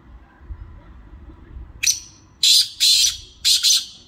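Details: Harsh, rasping call of a black francolin: after a quiet stretch, a short sharp note slurs into three rough, scratchy, evenly spaced bursts, the last two closely paired, with faint low rumble in the background.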